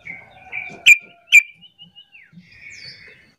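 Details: Sooty-headed bulbul lure call meant to set other bulbuls answering. Two loud, sharp chip notes half a second apart are set among thin whistled tones, followed by a drawn-out falling whistle and a soft buzzy trill.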